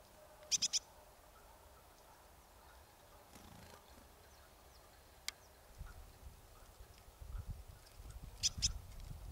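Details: Marsh tit in the Nowy Korczyn area of Poland: a tight pair of high, piercing notes opening and closing the recording, a single click in the middle, and low rustling handling sounds.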